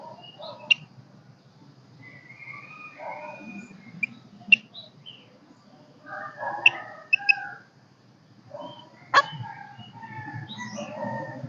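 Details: Golden-crested myna, a kept lure bird that sings but is not yet in full song, giving varied warbled and whistled phrases broken by loud sharp clicks and snaps every second or two, with a low indoor hum.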